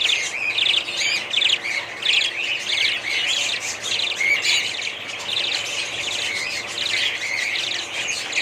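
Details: Budgie parrots in rapid buzzy trills and high chirps, many birds overlapping in a constant twittering flock chatter.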